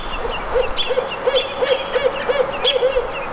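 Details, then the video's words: Barred owl at the Squamish River Estuary on May 17, 2014, giving a rapid run of short, even-pitched hooting notes, about three per second, while thin high songbird chirps and whistles sound above. "Barred Owl #2"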